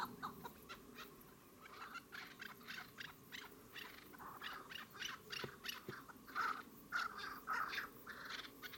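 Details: Chukar partridge calling: a series of short, clipped chuck notes repeated in an uneven rhythm, several overlapping, with a few sharper accented notes near the end over faint background noise.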